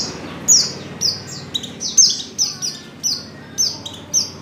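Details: Oriental white-eye female giving a lure call to prompt male singing; a quick series of high, sharp downslurred tweets, around nine notes in four seconds, irregularly spaced, over faint low rumble.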